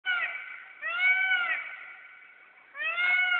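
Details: A bird on the Kentucky River gives three drawn-out, rich, slightly arched nasal notes, each under a second long, with short pauses between them.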